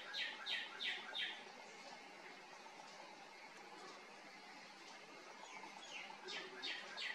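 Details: A male northern cardinal sings in the evening from a tree beside a house, for territory or courtship: a run of four clear, down-slurred whistles, then after a pause another quick series, over steady background hiss.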